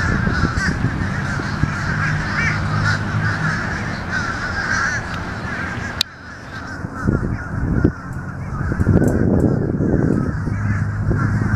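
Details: Noisy fish crows giving harsh, nasal caws, scattered and irregular, with a sharp break midway and a strong low rumble underneath throughout.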